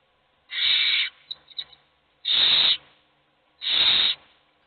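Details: Hungry owl chicks in the nest begging, only one eating: three long breathy hisses, the first followed by a few soft ticking sounds before the next two.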